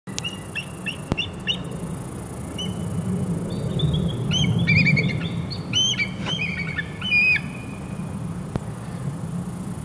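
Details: A female bald eagle calls to her mate on Oct. 9, 2022 in Humble, Texas, giving thin, high, chirping notes in quick stuttering bursts, squeaky rather than fierce, over a low steady rumble of wind.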